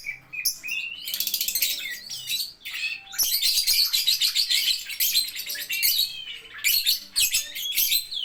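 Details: Lovebird delivering nearly continuous rapid, high-pitched chattering song with rising squeaky notes mixed into dense ticking trills.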